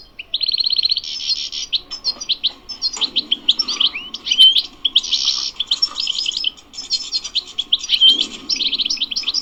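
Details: Wild European goldfinch singing a rapid, high twittering song in the bebteh style, with liquid trills, buzzy bursts and short clear whistles pouring out almost without pause. A faint low murmur sits underneath.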